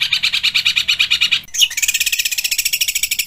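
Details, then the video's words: ['Cendet (long-tailed shrike) delivering dense, speedy rolls with imitations of kuntilanak, tengkek buto and fighting sparrows. A fast pulsed mid-high trill stops briefly, then resumes as a higher, quicker, thinner trill.'] "Cendet Full Tembakan Kuntilanak | Tengkek Buto | Gereja Tarung"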